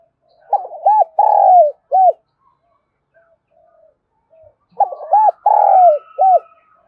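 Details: Spotted dove used as a decoy caller in Đồng Nai, Vietnam, gives its mellow cooing phrase twice: a few short hoots, a longer drawn coo, then a final note. Otherwise quiet.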